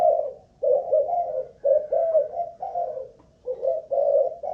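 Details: Spotted dove of Malaysian type, a caged decoy bird, cooing in an endurance test: mellow, hollow low coos in linked phrases with brief pauses, background otherwise quiet.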